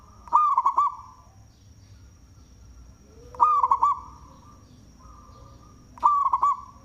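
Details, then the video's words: Local zebra dove, loud voice, kept for luring: three cooing phrases, each sharp clipped notes then rolling looped coos, repeating roughly every three seconds over a faint constant whine. "Perkutut Lokal suara BESAR Manggung"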